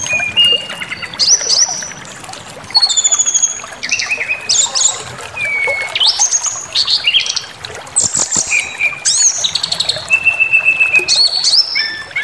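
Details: Lure song of a brown-chested jungle flycatcher intended to enrage other birds and draw out their repertoire; a varied stream of high whistles, upward slurs, quick trills and a long steady mid-pitched whistle, phrases spaced by brief gaps.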